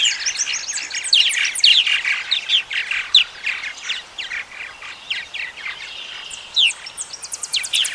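Purple Martins chatter in a dense, continuous stream of gurgling, liquid chirps and croaks, with several birds overlapping throughout.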